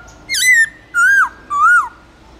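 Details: Black-throated laughingthrush singing loud, clear forest-style song used to train caged birds: three loud, rich whistled notes, each gently arched then dropping, spaced about half a second apart over a quiet background.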